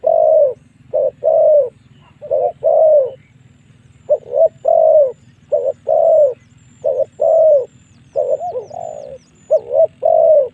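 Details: Lure call of a spotted dove, meant to bring wild doves in for a long fight: soft cooing notes in uneven groups, short clipped coos mixed with longer drawn-out ones, over a constant low drone with faint thin chirping high above.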